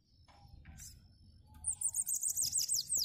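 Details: Bananaquit of the "cangaceiro" song style, singing a lot: after faint chirps, a rapid, very high, hissing string of short descending notes builds up and continues steadily, with a faint low hum behind.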